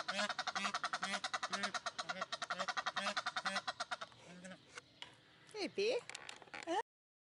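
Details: Egyptian geese in captivity at a zoo in Upie, Drôme, France: four seconds of fast, harsh cackling with steady low honks, then a pause and a few scattered sliding, wavering notes.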